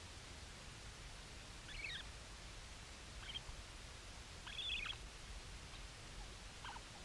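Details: Bermuda petrel on Nonsuch, 24 March 2020, gives four short, high, wavering cries spaced a second or two apart, nearly buried under a steady roar of wind and surf.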